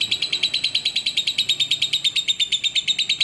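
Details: Steady lovebird chatter in a clean tutoring recording: a quick run of bright, metallic, buzzy chirps repeating about three times a second at an even pitch, with faint background hum.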